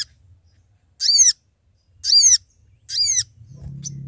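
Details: Lure call of a Sooty-headed bulbul calling its companions for trapping: three high down-slurred notes under a second apart, followed by a steady low hum.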